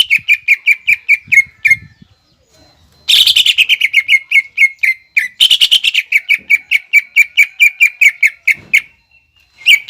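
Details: Greater green leafbird in full song, 'nembak ngekek' style, used as a lure to provoke young or 'kuningan' leafbirds into quickly copying it: rapid runs of sharp, chattering, high notes about six per second, broken by short pauses and louder bursts.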